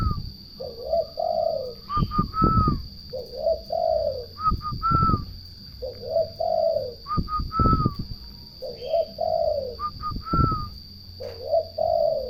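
Turtle dove giving soft, low purring coos in short phrases about every two and a half seconds, with higher chirps, dull thumps and a steady high whine.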